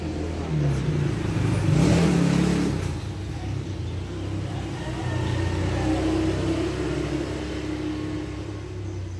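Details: Only a car engine revving and passing traffic can be heard, with no animal calls.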